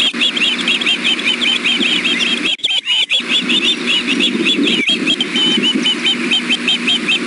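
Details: Evening food calls from three ospreys at a nest, one youngster biting at its mother: dense, shrill, repeated whistled chirps, rising and falling in quick bursts, with a short gap and steady low background noise.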